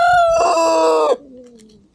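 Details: Rooster crowing on a farm at sunset while a farm dog eats nearby; one loud, rich, harmonic crow held about a second, ending abruptly, then a fainter, lower trailing call that slowly falls.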